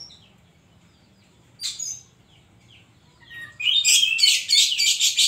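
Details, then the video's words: Oriental magpie-robin (kacer) in 'isian' song mode: a few soft thin whistles and a slurred note, then a loud run of rapid, rhythmic buzzy chattering notes repeated about three times a second. "burung kacer gacor isian koslet"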